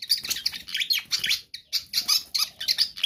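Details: Pied fantail in constant song for bird training: blurred, rapid high chirps and squeaks, closely packed, over a faint low rumble.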